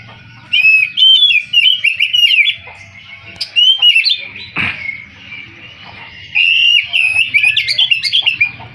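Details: Kacer, the Oriental magpie-robin, delivering bursts of rich whistles and quick warbled trills in three main spells separated by short pauses, with a sharp click near the middle.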